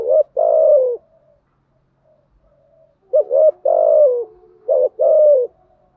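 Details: Female spotted dove lure voice, gáy gọi and thúc gù cooing meant to make decoy birds respond quickly. Three deep, hoarse phrases are heard, each a brief rising note and a drawn-out descending coo, separated by quiet pauses.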